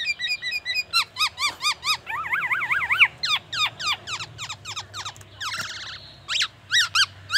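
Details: Black-naped oriole pouring out rapid whistled notes and wavering, siren-like sweeps rising and falling several times a second, mimicking white-rumped shama song and an ambulance siren.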